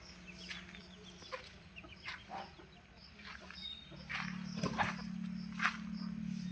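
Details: Desi chickens roaming about, giving scattered short clucks and harsh chattering bursts at irregular intervals, with a steady low hum underneath and a louder flurry of calls near the end.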